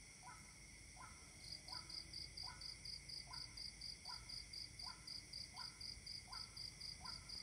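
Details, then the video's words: Overnight Waterhen on 28 October 2018: a monotonous series of brief, rough, rising double notes, about ten in seven seconds, set against a continuous fast-pulsed cricket trill and a steady whine of night insects. "Waterhen overnight"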